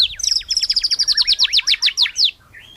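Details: White-rumped shama singing melodiously: a quick run of about fifteen sharp, high, downslurred notes delivered in an even rhythm, ending in a short faint rising whistle.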